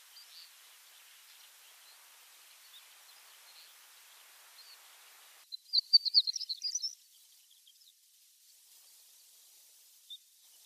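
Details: Horned lark, likely an adult of a pale-throated form, recorded in Mongolia, giving a quick burst of thin, high tinkling notes lasting about a second, with faint distant twittering before and a single high note afterward.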